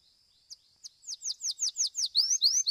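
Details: Belgian domestic canary in a singing competition, fibra song: sparse high notes accelerating into a rhythmic run of about ten sweeping whistles, the later ones turning into longer rising slurs.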